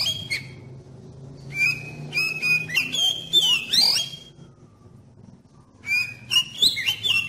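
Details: Oriental magpie-robin lure song meant to trigger other magpie-robins to start singing: bursts of varied whistled and chattering phrases, some sliding and buzzy, separated by a near-silent pause of about a second and a half, over a low hum.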